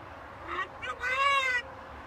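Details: A talking pet macaw on a balcony gives a brief harmonic vocalisation in two parts, with a person's voice nearby and faint background noise.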